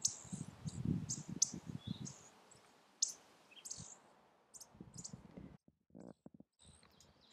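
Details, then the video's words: Indigo Buntings in Bracken ferns in a Vermont forest clearing, a breeding family with nestlings. The male chips sharply, high and irregular, keeping track of his family as the others do. Several birds call over low rumble and a man's voice. "so he's making that same chipping noise that you hear from the others"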